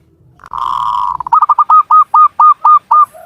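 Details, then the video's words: Local Javanese zebra dove from Cilacap, Central Java, singing energetically. A soft rolling trill leads into clear, evenly spaced cooing notes, about four each second, with no other sounds. "SUARA BURUNG PERKUTUT LOKAL JAWA GACOR"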